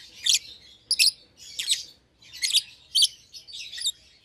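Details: Two young lovebirds, a euwing green opaline and a red-eyed albino, paired in a special cage; loud, grating high chirps in clustered bursts about every half second.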